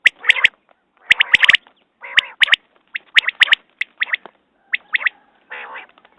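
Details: Quail calls: crisp, whip-like note clusters alternate with short buzzy, nasal bursts, closely spaced over a few seconds.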